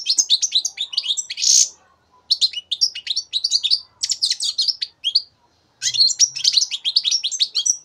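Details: Young European goldfinch, three months old, recorded in 2015, singing bursts of rapid twittering, tinkling notes high in pitch, in phrases of about one to two seconds separated by short pauses.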